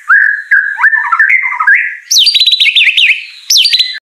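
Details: White-rumped shama, a contest-winning bird, pours out continuous song: a run of mid-pitched warbled whistles, then sharp jumps to high piercing, rapidly alternating notes, loud and energetic throughout.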